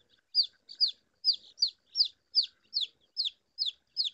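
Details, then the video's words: A chick peeps steadily: high, sharply falling notes, often paired, about two or three per second, with nothing else heard. "Suara anak Ayam"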